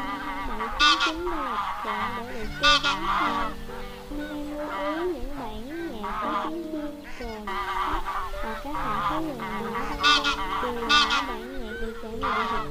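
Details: Flock-gathering calls of wild geese used to lure birds into nets: a dense chorus of wavering honks from several birds, with harsh louder honks breaking out every couple of seconds.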